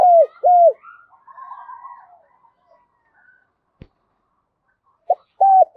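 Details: Spotted dove 'thúc' coo, a trapping lure meant to make wild doves respond fast and a decoy keep cooing: two low, rounded coo notes open, then faint higher bird chatter and a click, then the coos resume.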